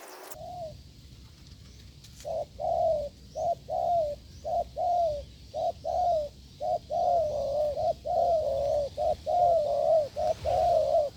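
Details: Wild spotted dove met during a decoy test session, cooing hard: steady series of low, mellow hooted notes, short ones alternating with longer drawn-out coos, nearly one per second after a brief pause, over faint background hum.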